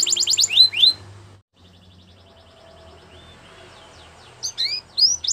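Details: Belgian canary giving a training song: a quick burst of falling whistled notes, a near-silent pause with faint low hum and soft chirps, then loud sharp downward-sweeping notes returning at the end.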